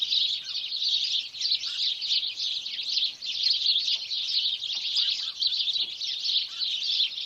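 Sparrows chatter steadily, with many high, overlapping chirps running together in a busy flock chorus. A soft background hiss sits underneath.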